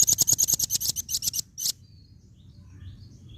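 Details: A female velvet-fronted nuthatch delivers a rapid rattling series of about fourteen high, sharp chip notes, slowing slightly at the end, then falls silent while faint bird twitters continue.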